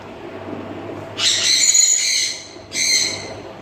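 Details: Two pet grey parrots indoors at home: a drawn-out rasping, hissing screech lasting over a second, a short pause, then a second harsher burst, over a low background hum.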